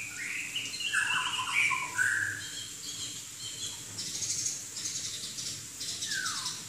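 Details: Chinese hwamei from southern China singing scattered whistled notes and short slurred phrases, loudest early on, then quieter with a faint falling whistle near the end over a steady background hiss.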